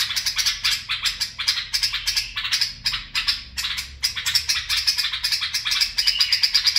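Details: Rapid, pulsing bulbul chatter from barwaz and mfaraah singing: sharp bright notes repeated about four times a second in steady runs, broken only by brief gaps.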